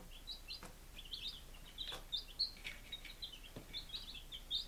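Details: Five-day-old baby chickens kept together in Lunenburg, Massachusetts, recorded on 23 July 2017: a steady stream of short, high, slightly downslurred peeps from several chicks, overlapping and irregular, with a few soft tapping knocks in the background.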